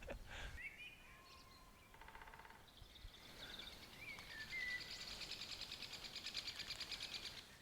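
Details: Woodpeckers in a territorial dispute at Smardale Nature Reserve in spring, chattering after their drumming failed to settle things. A fast, steady series of high, harsh notes runs through the second half, preceded by a short drum roll and whistled calls from other birds.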